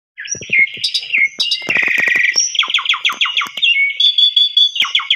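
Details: Asian pied starling singing as a morning lure meant to make other starlings answer; fast chattering run of repeated clicks and buzzy notes, then sliding whistles and a long trilled phrase, dense and loud throughout.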